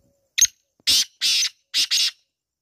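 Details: Black francolin giving a loud, harsh, grating phrase: one short opening note, a pause, then two long rasping notes and a closing pair of rasping notes. The background is quiet.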